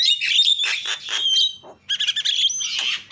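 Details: Javan myna, jalak kebo, calling loudly to provoke other mynas: harsh raspy squawks and a sharp whistle, a brief pause, then a rapid stuttering burst and a further drawn-out squawk.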